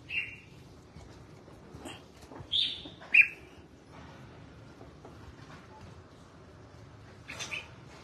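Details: Red-whiskered bulbul being bathed and sunned, sending out short, clear whistled phrases in small bursts separated by pauses of a few seconds, with faint background rustle.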